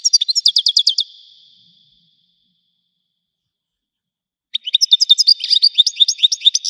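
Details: Widani-style goldfinch: a rhythmic burst of quick repeated twitters, a few seconds of silence, then a longer, louder jumble of bright chirps and buzzy trills.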